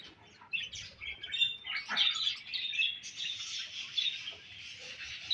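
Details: Budgies eating their favourite food begin quietly, then break into rolling, buzzy warbled chatter with thin high whistled notes, continuing to the end.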